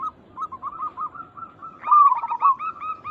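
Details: Local zebra dove calling to draw replies from other zebra doves. Soft chain of short coos builds into a loud quavering trill followed by crisp repeated notes.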